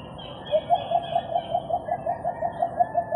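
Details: Philippine coucal giving its signature call, possibly from a clip recorded in January 2021: a rapid, even series of about fifteen deep, hollow hoots, roughly six per second, over a faint background hiss.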